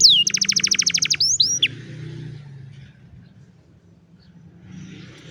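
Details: Canary singing, phone-recorded: a quick burst of evenly spaced downward-sweeping notes lasting about a second, then a few slurred notes before the song stops, leaving a low room hum.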